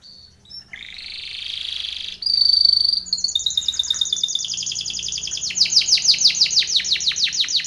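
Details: Timbrado canary singing a training song: a short buzzy note, then a sustained rolling trill and a bright high note, giving way to long runs of rapid descending rolls that grow louder toward the end.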